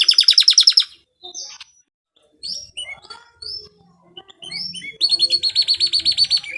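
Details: Canary performing 'cengkok mewah' style song used as training material: a fast rattling trill opens, followed by scattered short chirps and slurred notes with brief pauses, then another rapid, evenly pulsed trill closes the phrase.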